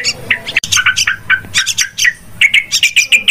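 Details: Yellow-vented bulbul lure call for bird trapping, said to be very noisy: lively, scratchy chirps and short whistled notes tumbling together, ending in a run of evenly repeated sharp chips.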